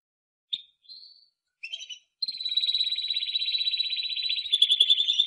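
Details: Timbrado canary giving a few short separate chirps, then launching into a long, continuous, rapidly pulsing trill that grows louder toward the end.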